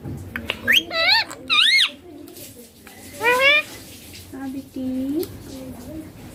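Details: Talking green Indian ringneck parakeet, said to say "papa" and "mummy": two paired bouncing nasal syllables, a pause, another arched word, then low flat voice sounds in a room.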